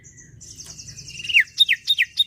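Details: Energetic sirtu bird song used to get other birds singing: a thin high trill leading into a run of five quick, loud, downslurred whistled notes in fast succession.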